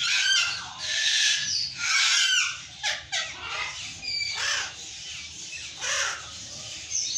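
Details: Raucous screams from burrowing parrots, repeated grating squawks about once a second, some long and broad, others short downward slides.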